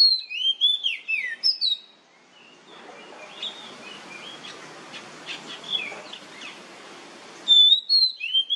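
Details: ['Oriental magpie-robin singing in nyemplong style as a lure to prompt others to sing. Loud, varied whistled phrases with rising and falling slurs open and close the recording. A quieter stretch of faint notes and hiss lies between.']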